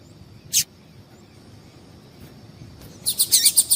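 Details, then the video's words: Calling female double-collared seedeater, used to stir males before singing tournaments: a lone high chip, a pause of over two seconds, then a fast burst of thin, high chips at about four per second. "Piado de Fêmea de Papa capim esquentar"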